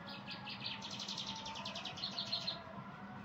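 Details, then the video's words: Yellow-fronted canary song: a fast series of bright, high trilled notes repeated rapidly, ending with a few sharp clicks, over a low steady hum. "اجمل تغريد لطائر الياسمين الموزنبيقي تغريد الموزنبيقي"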